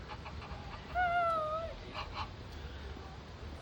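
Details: Egyptian goose giving a single drawn-out nasal honk lasting under a second, slightly falling then steady, followed by a few softer short notes against a background of broad noise and faint rumble.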